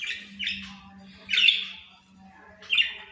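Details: Budgerigar giving three harsh, buzzy squawks spaced over about three seconds, with a steady low hum behind.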